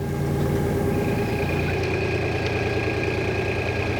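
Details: A boat engine idles with a steady low throb and droning hum, and nothing else is heard.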